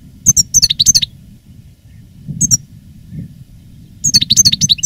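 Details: A veteran caged European goldfinch, a master call-bird singing live in 2017 and growing stronger in song after its moult, gives bright, tinkling twitters in quick bursts with short pauses between phrases, over a faint low background hum.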